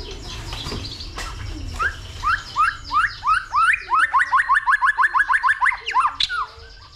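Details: White-rumped shama fighting song stimulated by a female: a rapid series of repeated upslurred whistled notes, about three per second, speeding into a steady trill.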